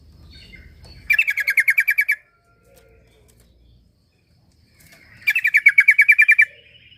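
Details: Sooty-headed bulbul, known locally as trucuk, used as a lure recording to get a quiet bird singing: two fast bursts of about eleven sharp, evenly spaced chirps, each about a second long, separated by a silent gap, with faint low rumble before.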